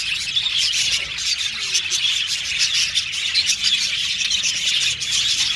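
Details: Budgerigar contact calls, described as repetitive, insistent chirps used to find company; busy high twittering with quick scratchy notes and occasional brighter whistled chirps.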